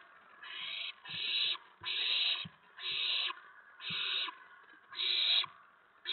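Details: At an owl nest on an April 2017 evening, as food is brought to the owlets, coarse hissing screeches about half a second long follow each other about once a second, with faint low thumps between them.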